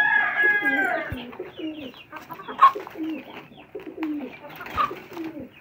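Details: Fancy domestic pigeons kept as a hobby in Karachi, Pakistan, give low, rolling coos, several bending phrases rising and falling in overlapping sequence, with a brief higher harmonic burst at the start and faint chirping above.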